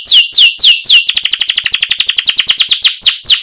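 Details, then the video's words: Canary tutor song for young birds: several loud downslurred whistles, a rapid rolling trill of chirps, then more falling whistles at the close. "Kenari Gacor CUIT Cuit Ngerol Buat MASTERAN Kenari PAUD Baru Belajar Bunyi Supaya Langsung NYAUT"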